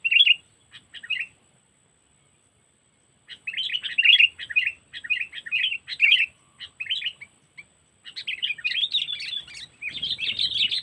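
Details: Sooty-headed bulbul calls used as a Lampung trapping lure, 'cengkeram' style: a brief chatter, a two-second silence, then runs of scratchy, bubbly notes building into dense continuous chattering.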